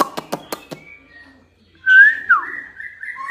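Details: White-rumped shama song intended to get other shamas singing: a rapid series of dry clicks with faint whistles, a brief silence, then loud slurred whistles and a string of shorter whistled notes.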